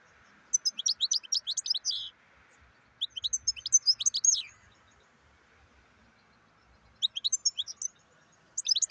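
European goldfinch singing in quick bursts of bright, tinkling, high twitters, each about one to two seconds long, over a faint steady background hum.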